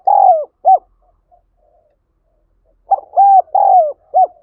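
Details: Spotted dove calling to lure birds: a long falling coo and a short note, quiet murmurs, then a fresh group of four clear, arched, mellow coos of uneven length.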